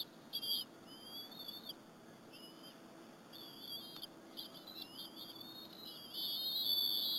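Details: Eaglets of a bald eagle pair at a Berry College nest, eating squirrel with their mother on 30 April 2015. Quieter, thin, slurred whistles rise and fall in short phrases, with a louder run at the end.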